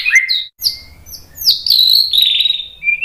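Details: White-rumped shama singing to draw responses from other birds, with a few varied whistles and slurred notes followed by a longer buzzy warbled phrase.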